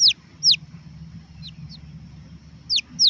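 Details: Red junglefowl chick with irregular peeps: two loud falling whistles, a couple of softer ones, then two more loud peeps at the end, above a low steady hum.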